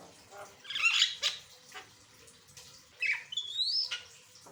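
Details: An Asian pied starling sings a varied song for prompting other birds: a loud scratchy burst, a quiet gap, then a rising, gliding whistle with harsh overtones.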